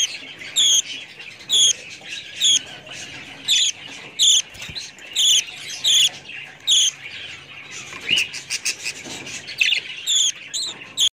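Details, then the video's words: Budgerigars calling: short, sharp, high chirps repeated roughly every second, each with stacked harmonics, over a softer constant chatter of warbling notes. "budgies parrots"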